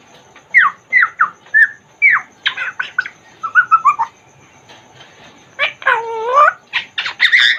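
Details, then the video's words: African grey parrot kept in a cage: a quick series of whistled chirps and clicks, then a loud drawn-out harmonic squawk that dips and rises before more rapid chattering notes. "african grey parrot talking in cage | Talking congo grey parrot"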